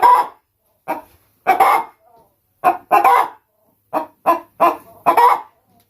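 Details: A Brahma chicken kept as a laying hen in England gives scattered harsh clucks, single or in pairs, with clear silent gaps between them.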